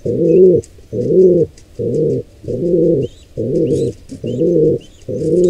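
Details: Wild pigeon nest scene with a squab under attack from two intruding pigeons: deep, buzzy coo pulses repeating a little faster than once a second, and thin high chirps in the background.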